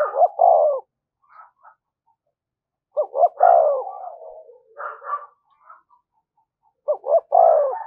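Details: Spotted dove giving the thúc gù cooing phrase, a call played to lure wild doves: soft, low, hollow coos in short bursts, each phrase opening with two quick notes and ending in a longer coo, repeated about every three and a half seconds.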